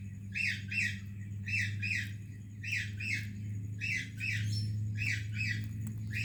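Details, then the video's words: Parrot greeting another parrot: paired harsh squawks repeated in five spaced bursts, each pair rasping and abrupt, over a constant low droning background hum. "Indian Parrot Greeting Pakistani Parrot | Funny Talking Parrot"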